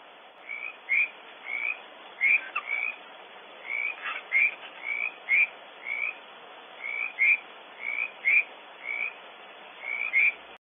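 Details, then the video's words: Barn owls cleaking at a nest cavity on Audubon Starr Ranch, California, during an intruder episode: short, harsh, rasping notes, mostly in quick pairs, repeated steadily about every second over faint background hiss. "Intruder episode, more than one owl cleaking - Audubon Starr Ranch Barn Owls"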